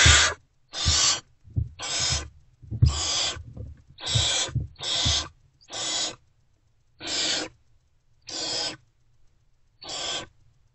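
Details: Hungry great horned owl owlets in a nest box before sunrise reacting to an adult's return; a series of raspy hissing screeches, closely spaced at first then slowing, with low bumping and rustling early on.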